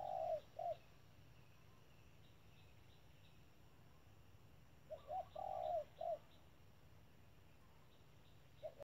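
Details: A spotted dove (Spilopelia chinensis), used as a trap decoy, gives two low, soft cooing phrases of three notes each, about five seconds apart, over a faint steady hiss.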